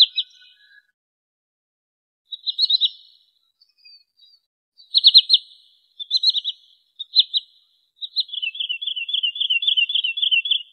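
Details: Lure calls of a wood sandpiper for hunting: several separated bursts of three to four piercing high notes, then a long quick trill of evenly spaced whistled pips to the end.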